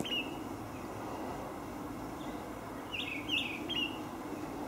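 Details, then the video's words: Olive thrush giving thin, high whistled notes: one brief note at the start, then a quick cluster of three or four near the end, over a steady low background rumble. "Olive Thrush call"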